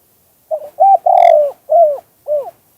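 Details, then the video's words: Spotted dove singing the '2 kuk hoi' style, natural sound: five soft, low, hollow coos over about two seconds, two short opening notes, a long loud central coo, then two falling notes with brief gaps, with a quiet background. "เสียงนกเขาใหญ่ 2021 2กุกห้อย เสียงธรรมชาติ"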